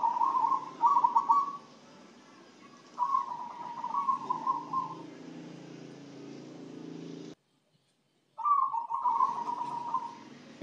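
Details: Zebra dove singing after being fed a herbal spice mix, said to make it sing diligently and stay healthy; soft trilled cooing phrases, each about a second long, repeated with pauses, with a brief silent gap near the end.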